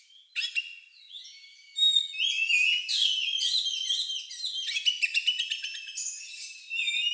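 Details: Oriental magpie-robin with an odd, lovebird-like song used to provoke other birds into singing: clear whistles and slurred notes building into a continuous rich warble of rapid chirps and trills.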